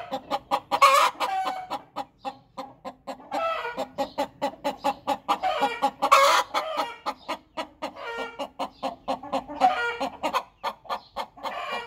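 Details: Domestic hen after laying an egg, cackling steadily: a dense run of loud, clipped clucks, roughly several per second, broken every few seconds by harsher drawn-out squawks.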